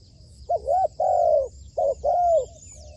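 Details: Spotted dove serving as a trained trapping decoy gives two paired phrases, each a short coo followed by a longer drawn-out purring coo, over a high steady insect whine.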